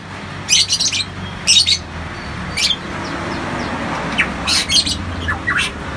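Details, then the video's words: Variable pitohui, a kept songbird endemic to Papua with a loud, rapid voice: short bursts of harsh, chattering notes roughly once a second, separated by brief pauses, with faint scratchy notes between them over a low background hum. "suara asli pitohui gacor"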